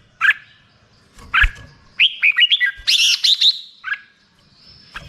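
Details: Black-crested bulbul: isolated chirps, then a quick bubbling series of whistled notes climbing to a high, fast flourish, followed by a lone note.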